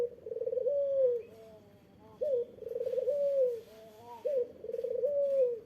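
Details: To provoke an answer from a rival, an Eurasian collared dove gives three rolling coos, each opening with a quick rising note and then a trilled, slowly falling tone.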